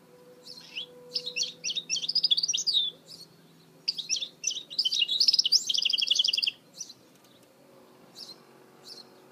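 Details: Goldfinch hybrid (mule) in full song, recorded in 2018: two long runs of fast, tumbling high twitters and trills, with brief chirps between phrases and a faint low hum beneath.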